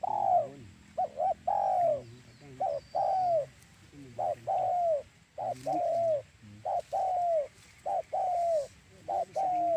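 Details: Continuous spotted dove cooing used to lure doves for trapping: many rapid phrases of short notes and falling drawn-out coos, closely packed and partly overlapping, as if more than one caller.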